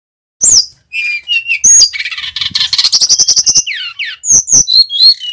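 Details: Actively singing male Brown-chested jungle flycatcher from Bali, its song used as a tutor for other birds: loud whistled slurs, then a long rapid rattle of buzzy repeated notes, ending in clear descending and rising whistles.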